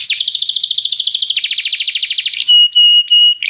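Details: Canary song for training a young canary: a long, fast trill of evenly repeated notes, about twelve per second, changing pace midway, then sustained pure whistled tones.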